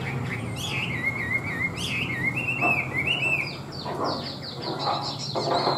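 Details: Tame Chinese hwamei in full song: rolling, rippling whistled phrases sliding up and down, followed by rapid high chirps and a few louder notes, over steady low hum.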